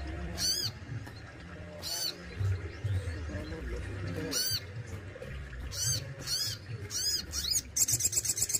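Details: Captive Crested Jay in Indonesia uttering loud swept notes, each arching up and down, spaced about a second apart, ending in a rapid buzzy rattle; low background murmur throughout.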